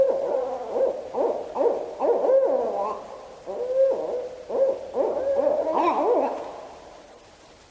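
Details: Barred Owls near a nest area in Washington give a rapid series of wavering, whooping hoots, screams and cackling slurs, rising and falling in excited bursts, with a juvenile's odd calls mixed in and some mic static; Barred Owl.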